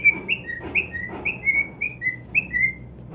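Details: Pet cockatiel singing on his new nest: a series of clear whistled notes, each a short rising-then-level slide, alternating slightly higher and lower, about three per second, over a quiet indoor background.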